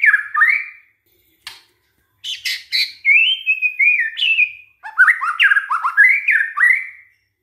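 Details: Varied white-rumped shama song from a lure recording to make other shamas sing: chattering, sharp clicks and mixed slurred whistles in several short phrases separated by brief gaps.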